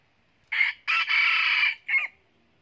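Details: Crow of a bright golden-feathered red junglefowl kept as a decoy bird: a short harsh opening note, a long strained hoarse middle phrase, then a brief clipped final note, in quiet surroundings.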